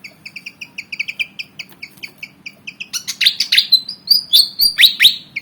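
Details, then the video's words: Black-and-white fantail, about 19 cm, keen and eager to fight. It gives a quick run of short, high, paired chirps, then louder, harsher, jumbled phrases with sharp whistled notes that quicken toward the end. "Burung Kipasan Jawa Ngotot Liat Pengen Tarung"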